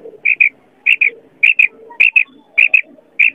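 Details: Female quail calling, one of several female quail calls used for quail hunting in wheat fields: clear high double notes, each pair quickly repeated, about six pairs spaced roughly every 0.6 seconds, with faint low background murmur.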